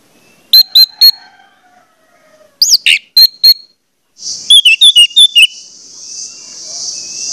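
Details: Orange-headed thrush lure song to make other thrushes sing: groups of piercing high whistled notes, a quick rising slur, then a rapid run of notes over a rising steady hiss.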